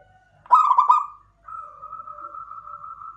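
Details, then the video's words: Local zebra dove, named klowongan, giving one quick burst of pulsed, gurgling coos. A quiet, continuous, humming tone follows for the rest of the moment. "PERKUTUT LOKAL KLOWONGAN"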